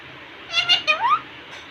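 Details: Indian ringneck parakeet at a mirror giving a brief harsh, buzzy speech-like phrase ending in a rising whistle.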